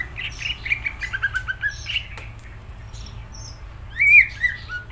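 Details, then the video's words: Greater green leafbird singing: a fast jumble of chattering chirps and whistles, a quiet gap, then a loud rising and falling warbled phrase. "Cucak ijo gacor"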